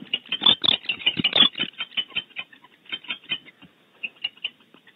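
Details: Female and male barn owls defending their nest cavity at Starr Ranch, California, with harsh, rasping bursts early on, followed by a loose series of short, dry, clicking chitters spaced unevenly and growing quieter.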